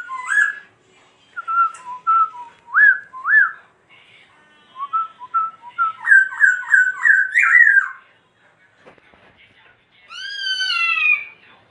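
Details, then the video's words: While dancing, a laughingthrush sings spaced short whistled notes that build into a rapid repeated run of rising phrases, then falls quiet briefly before a final set of sliding whistles. "Khướu Muá Hót Như Thế Này Đạt Chưa Anh Em"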